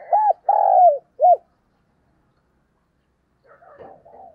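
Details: Morning calling of a captive decoy spotted dove: three clear, low, hooting coos in quick succession, the middle one drawn out and the last short, followed after a silence by a softer, muffled coo phrase.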